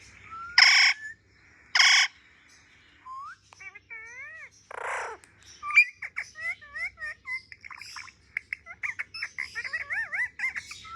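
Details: Pet parrot indoors, playing with a mobile phone: two loud harsh squawks, then a run of short whistled notes, rising and falling slurs and quick chirps in a varied, chattering stream.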